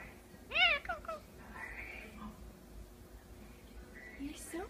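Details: Indian ringneck parakeet kept as a pet, vocalizing indoors: one loud harmonic, voice-like syllable followed by a few softer gliding sounds and a faint rising squeak at the end.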